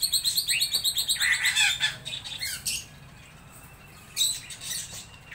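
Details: Laughingthrush singing at its best: a fast burst of pulsed, bright chirping notes, then scratchy squeaks and a pause before short sharp phrases resume.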